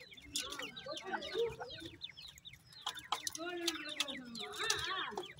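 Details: Francolin baby chicks playing among pheasant chicks, bursts of rapid high downslurred peeps in clusters, with a few longer lower clucking notes between the flurries.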